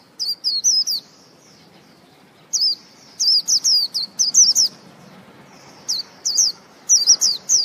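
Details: Repeated phrases of bright, looping whistles from a white-eye, several quick groups of three to six notes separated by silent gaps of a second or more, with faint steady background noise.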